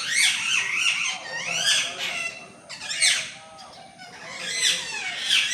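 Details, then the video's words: Green talking parrot at home in Mangalore on a cool-weather day, 17 August 2025, giving a continuous run of harsh, shrill screeches and rasping squawks that rise and fall, with no pause between them. "Talking Parrot Natural Sounds"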